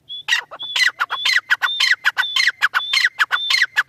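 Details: Francolin call sequence opening with a clear high whistle, then loud raspy, crackling notes linked by whistled tones, repeated nearly twice a second throughout.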